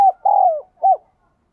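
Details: Spotted dove in the bell-toned 'đồng kim' voice, giving part of a coo phrase: a short note, a long, steady, slightly falling coo, then a brief arched final note. Clean and resonant, with no other sounds.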